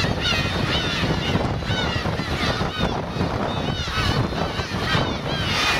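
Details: Black-tailed gull parents and chicks on Kurosaki coast, Teuri Island, Hokkaido, on 13 June 2021, give overlapping, drawn-out mewing calls that rise and fall, several birds at once, over steady wind and surf.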